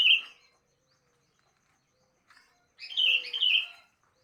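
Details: Sooty-headed bulbul singing in the morning: a short bright warbled phrase at the start, then after a pause a louder run of bubbly, slurred whistled notes lasting about a second.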